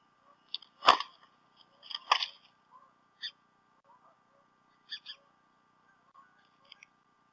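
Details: Bald eagles, both adults at the Decorah North nest on 28 February 2016, around late morning or early afternoon, the male having brought a fish to the female; loud bumps mixed with short high chirped notes spaced irregularly.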